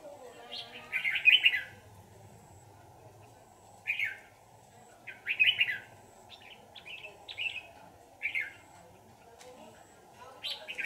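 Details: Red-whiskered bulbul, wild mature bird during a trapping session: short bright warbled phrases of a few notes, repeated at irregular gaps of one to three seconds over a low steady background hum.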